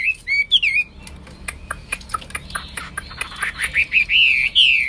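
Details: Hwamei (Wambi) in full song: a few sharp whistled notes open, followed by softer clicking ticks, then clear, sliding whistles that swell louder toward the end.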